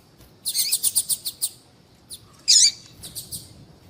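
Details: Female double-collared seedeater calling to stimulate a male to sing: a series of about eight very high, quick chip notes, a short pause, one louder buzzy note, then a few fainter chips.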